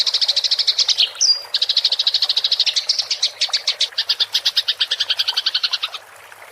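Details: Fighting house sparrow's rolling chatter (ngerol), a training recording for songbirds: rapid high chirps, a brief clean whistle, then more chatter slowing into spaced, louder chips before going quiet.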